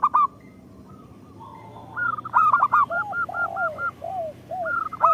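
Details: Local zebra dove song for luring other zebra doves; a quick burst of coos, a quiet stretch of faint rolling notes, then a lively series of evenly spaced coos over lower curved coos.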